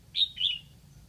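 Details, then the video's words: Red-whiskered bulbul used as a decoy in Lạng Sơn to call in wild birds: two quick clear whistled notes, the second a little lower and drawn out, against a quiet low rumble. "Mào mồi gáy kiểu này liệu có gọi được bổi không đây?"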